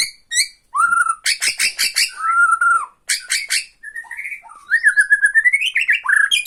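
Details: Bornean white-rumped shama song meant to bait and anger another shama: clear whistled notes alternating with fast dry rattling bursts, then a long wavering whistled passage with sliding tones.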